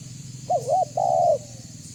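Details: Spotted dove lure call, a wavering two-part coo followed by one long even note, with low humming background.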